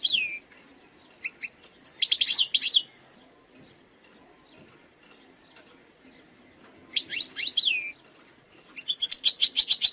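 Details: Wild European goldfinch giving scattered, softer twittering phrases with liquid slurred notes, spaced by pauses over a faint background hiss.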